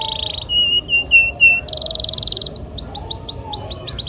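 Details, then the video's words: An actively singing canary gives a bright, high song of steady whistled notes, a fast buzzy trill, then a quick run of repeated rising chirps, from a canary training recording. "BURUNG KENARI GACOR"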